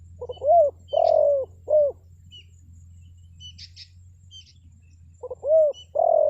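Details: Spotted dove used to lure wild birds. Two phrases of soft, low coos follow a short-long-short pattern, separated by about three seconds. Thin high chirps of small birds sound in the gap, with a low hum beneath.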